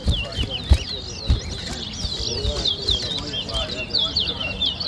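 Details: Large-billed seed finch, locally towa towa, singing during a whistling contest in Berbice, Guyana, 2023: rapid twisting whistled phrases repeated in bursts, backed by a murmuring crowd and occasional bumps.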